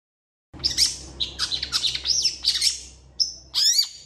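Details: Long-tailed shrike in full mimicking song, a fast jumble of high chirps, trills and swept squeaky notes, ending in a rising-and-falling whistled phrase.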